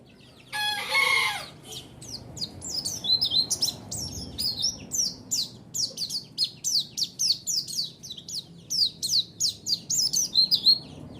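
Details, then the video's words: White-eye lure song to provoke a response: after a brief harsh burst, a long even series of sharp, high downslurred chirps repeated several times a second, mixed with short whistled notes, over low background rumble. "Pancingan Suara Burung Pleci"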